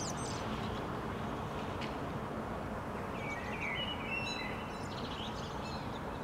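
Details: Rooftop Common Blackbird in Helsinki, Finland, during May 2013, delivering a low fluted warble that breaks into squeaky high twitters, over a continuous hum of urban traffic with faint chirps from other birds.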